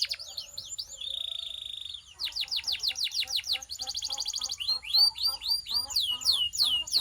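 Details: Belgian canary song played to warm up canaries and stimulate females: varied tours of falling whistles, a steady buzzy note, a rapid chattering trill, then loud sweeping slurs repeated in quick series.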